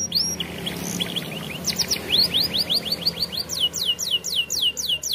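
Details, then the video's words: Canary singing like a champion, used for training young canaries; rapid repeated downward-sweeping whistled notes high in pitch, delivered in quick trills that speed up toward the end, with faint low background hum. "Canary Bird Singing Video Training Canaries - Canary Singing Like A Champion For Young Canary"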